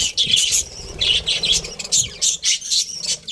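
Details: ['Colourful budgerigars in a colony give bursts of bright, high chirps in clustered phrases, with brief pauses between them and faint low rustling underneath.']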